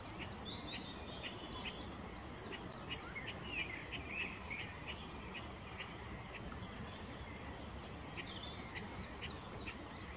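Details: Willow warbler in mixed song, RSPB Middleton Lakes, 25 June 2023: fairly quiet runs of evenly repeated high notes, one phrase near the start and another near the end, with a brief louder sharp note between, against constant background hiss.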